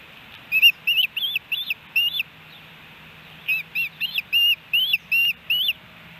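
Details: Ospreys at their nest in Hellgate Canyon, Missoula, Montana, on July 13, 2018, a day with three fish deliveries, recorded by nest camera. Two bursts of sharp, whistled, up-and-down chirps, about five notes each, separated by a short pause.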